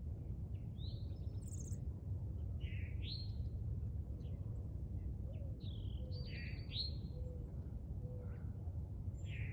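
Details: An American robin in a yard sings short, clear, warbled phrases that slur up and down, spaced about a second apart, over a steady low rumble of wind or traffic.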